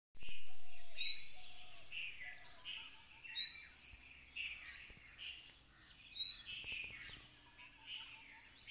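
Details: Oriental magpie-robin in Ella, Sri Lanka, sings a clear, rising whistled phrase about every three seconds over steady insect buzzing, with soft lower notes from another bird.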